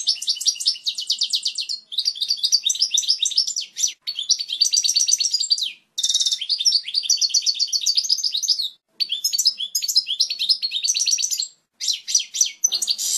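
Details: Clear, strong European goldfinch song used to teach young birds, delivered in continuous high phrases of rapid trills and twitters with short gaps between bursts.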